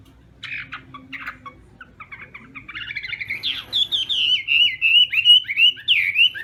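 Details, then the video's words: Chinese hwamei practising its morning contest song: soft scattered chirps at first, then the singing swells into loud, clear whistled phrases with repeated up-and-down slurs, growing steadily stronger toward the end. "Hoạ Mi Hót Đấu /hoạ mi hót sáng luyện giọng"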